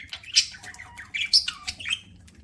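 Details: Pet budgerigars chirping while eating indoors: scratchy, squawky chirps at high pitch in short bursts around half a second, one second and one and a half seconds, with faint clicks between.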